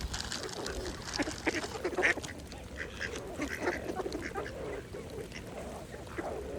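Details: Several mallard ducks feeding on a pond chatter with busy, overlapping quacks and chuckling notes, one louder burst standing out early, amid gentle watery background.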